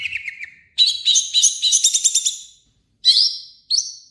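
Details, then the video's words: Long-tailed shrike in full harsh song, meant to lure other shrikes into singing: a falling trill, then a dense burst of quick buzzy notes, and finally two short high rising whistles separated by silence. "burung cendet gacor FULL MATERI KASAR buat PANCINGAN CENDET AGAR CEPAT BUNYI"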